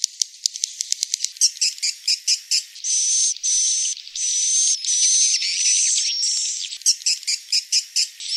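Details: Swiftlets give rapid rattling clicks, then longer high buzzy chirps with a thin whistled tone running through them, then return to quick clicking.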